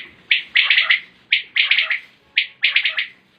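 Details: Calling common quail (batair), 2020 recording: loud, clipped triple-note phrases, each a quick rhythmic burst, coming about every second over a quiet background.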